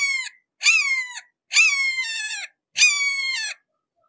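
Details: Red-shouldered hawk, seen close up, giving four loud, clear, harmonic screams, each a high note of under a second that drops slightly at the end, spaced roughly a second apart against a silent background.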